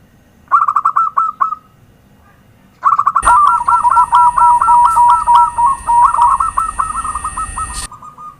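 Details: Zebra dove (perkutut) lure call: bursts of rapid, bubbly cooing notes in a trilled series, then a longer run of looping, rolling coos over a steady high electronic whine and low hum.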